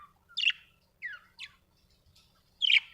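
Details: Domestic budgerigars indoors, with a few loud scratchy chirps and sliding rising notes about half a second apart against faint low hum.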